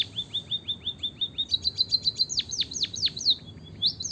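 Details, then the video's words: White-headed munia song used as a lure to prompt reluctant munias to sing: rapid thin high chirps, steady at first, then louder downslurred sharp notes in quick series, over faint low background rumble. "emprit kaji gacor - suara bunyi burung pipit untuk pancingan"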